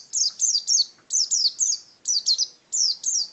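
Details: Pet pleci (white-eye), a contest bird filmed in 2017, chirps in short bursts of two or three high, falling notes separated by brief pauses, clean and loud against a quiet background.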